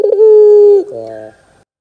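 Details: Barbary dove, a chatty bird whose call serves as a lure to make young doves answer: one long, steady, hollow coo held for nearly a second, then a softer rolling trill that fades out.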